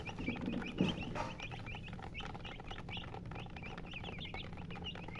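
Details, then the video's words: Hen chicken giving quick, high, repeated chirps throughout, with a brief louder low thump near the start and constant background hum. "silly chicken chirping sounds with murgi hen color chicken"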